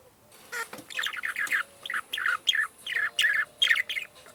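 Parakeet chatter: harsh, scratchy chirps in quick bursts, about two or three per second, with a faint room hum beneath.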